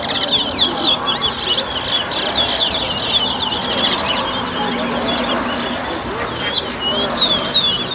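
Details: Towa towa whistling at a 2022 bird club contest in Better Hope, Guyana, fast chirpy twitters and sharp high whistles running continuously, with background voices and murmuring crowd.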